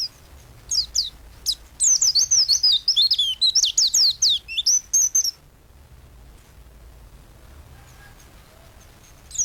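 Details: White-eye in full, energetic song as a training master: a few isolated high chirps, then a rapid, wavering chatter of descending and rising notes for about three seconds, followed by near silence.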